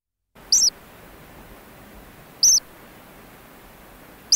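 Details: Ancient murrelet chicks in a burrow on Frederick Island, giving short high thin cheeps with a quick falling-rising shape, spaced about two seconds apart over a steady soft hiss.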